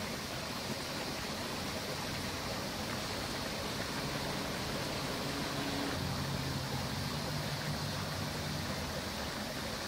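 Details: Continuous rushing noise like flowing water or wind covers the whole recording, and no clear animal call is heard.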